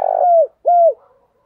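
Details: Spotted dove cooing as a decoy call to lure wild doves: two loud, steady, mellow coos, each about half a second and dipping slightly at the end, separated by a brief gap; no other sounds.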